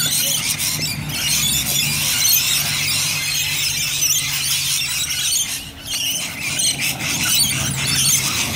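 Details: In Bonnyrigg, many Rainbow lorikeets keep up a constant shrill, scratchy squealing, with overlapping calls and a low droning hum below. There is a brief dip around the middle.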